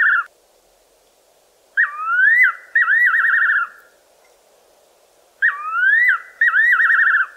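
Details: A Fiery-necked nightjar calls at night from a tree in the southern Karoo: loud, clear whistled phrase, a rising slur then quavering, tremulous notes, repeated about every four seconds over faint steady hiss.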